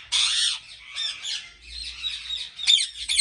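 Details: Ringneck parrots at a large breeding farm in Pakistan: a loud, harsh squawk opens, followed by softer, raspy chatter and a sharp shriek near the end.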